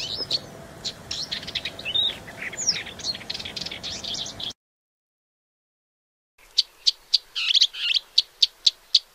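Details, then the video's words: Paddyfield warbler of Central and Southeast Asia singing fast scratchy phrases, then after a brief silence a series of sharp repeated high notes roughly every half second. "Paddyfield Warbler"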